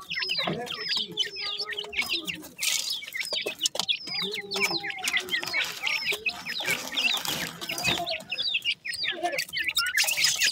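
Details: Francolin chicks in a busy group give endless bright peeps and squeaky chirps, some falling in pitch, mixed with soft low clucks and occasional bursts of noise.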